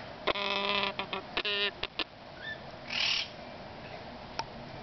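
Yellow-naped amazon chicks give harsh, nasal, buzzy calls in short bursts, two longer ones early and a few quick clicks and squeaks after.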